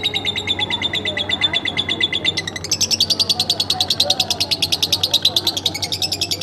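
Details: Lovebird kept at home, singing a fast continuous chatter of sharp, high pulses repeated many times a second. The chatter shifts to a higher, brighter series about halfway through. A faint low hum runs underneath.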